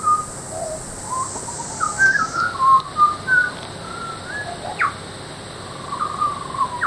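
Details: Butcherbird song recorded at Peachester, Queensland, made of mellow whistled notes with swooping glides and a sharp rising upslur near the end, over a constant high hiss that eases after two seconds.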